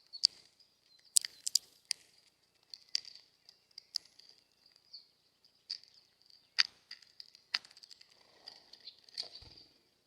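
Hawfinch giving sharp, high, clicking ticks at irregular intervals, some in quick pairs, over a steady thin high whine.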